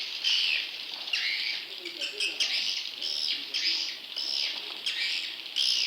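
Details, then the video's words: Swiftlet chick calls meant to attract wild young swiftlets: sharp, high, buzzy chirps in separate bursts about every half second to second, each dropping slightly in pitch, with no background noise. "Suara Walet Anakan Super"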